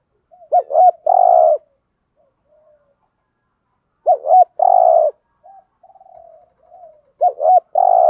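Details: Lure spotted dove cooing to provoke wild doves ('thúc gù'): a low phrase of two quick hooked notes and a long, even coo, repeated three times, with soft murmuring notes between phrases.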